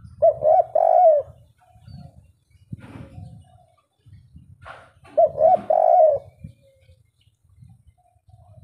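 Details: 'Kuk 3' song of a local wild spotted dove: the same three-part low coo phrase is heard twice, about five seconds apart. Soft knocking and rustling fill the gaps.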